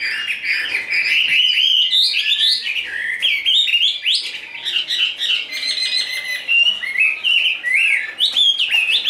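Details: Chinese hwamei, a large tame cage bird in fighting display, pours out rich, unbroken warbling with varied whistled phrases, trills and quick jumps in pitch.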